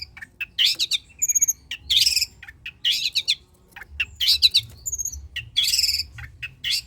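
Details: Long-tailed shrike singing energetically, a lure to coax reluctant shrikes to sing: dense bursts of harsh buzzy chatter alternating with quick high chips and thin whistled notes, nearly continuous for seven seconds.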